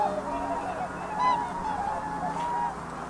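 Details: Whooper swans giving long, drawn-out trumpeting calls that rise and fall slightly, with a faint voice-like murmur underneath.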